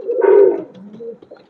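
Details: Domestic pigeon kept in a home loft: a single low, throaty coo swelling and fading over about half a second, followed by soft, faint murmuring in a small room.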